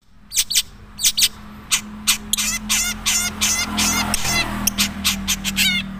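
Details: Madura long-tailed shrike singing its natural song, not yet holding many imitated phrases: dense, rapid, scratchy notes that run together into fast chattering bursts, with a steady low hum underneath.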